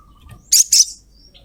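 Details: Female ruby-throated myzornis calling a male: two quick, loud, harsh, very high 'cret cret' notes in rapid succession, then silence.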